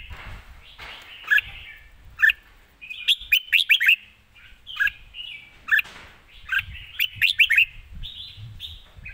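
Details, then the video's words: Caged red-whiskered bulbul singing live with quick, well-phrased delivery: staccato chips in fast runs and bright warbled notes, the bursts returning every second or two. "สด ริก"สับไว สำนวนดี#เสียงนกกรงหัวจุก"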